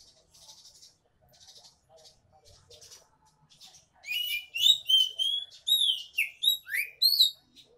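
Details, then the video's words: Oriental magpie-robin, gacor ngemplong style, meant to coax quiet birds to sing: soft buzzy rattles at first, then a burst of loud, rapid whistled phrases with sharp rising and falling slurs, repeated about three times a second. "BURUNG KACER GACOR NGEMPLONG COCOK BUAT PANCINGAN BURUNG KACER MALAS BUNYI"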